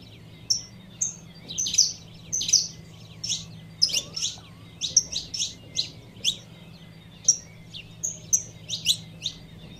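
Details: Female Saffron finch calling to excite the male, giving a rapid, uneven series of about twenty sharp, high chirps and short whistled notes, often in pairs, over a faint low background hum.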